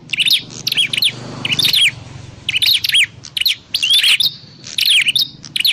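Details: Trapping lure of a prinia: irregular bursts of high, twittering chirps with a few short whistled slides, broken by uneven pauses.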